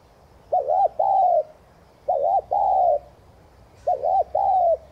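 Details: Spotted dove giving a 'thúc gù' coo, used to stimulate wild-caught doves to coo. Each low phrase is a short wavering note followed by a longer smooth note, repeated in pairs about every one and a half seconds.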